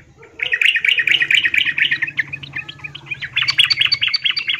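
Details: Yellow-vented bulbul female, in breeding condition, calling a male; a dense, continuous run of quick chirping, chattering notes lasting about four seconds, with a low steady hum underneath.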